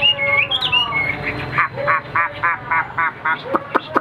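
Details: Captive hwamei, tame and just brought home: a few whistled slurs, then a series of harsh, buzzy squawk notes repeated roughly three times a second.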